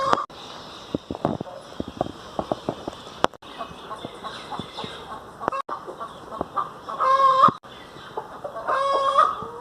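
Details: Domestic hen kept as a pet bird in Pakistan: drawn-out nasal squawking calls with a wavering tone near the end, over background clatter, clicks and soft thuds.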